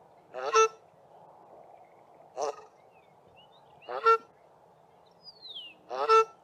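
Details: A South African shelduck (Tadorna cana) pair duets from sewage ponds at Mayfield, Grahamstown, trading harsh, nasal honks, four loud bursts about every one and a half to two seconds, the male's honk lower than the female's higher call.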